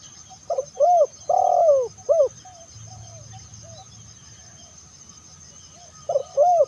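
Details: Spotted dove (terkukur) call used to lure other doves: a phrase of short looping coos and one long falling coo, a quiet gap, then the phrase beginning again near the end.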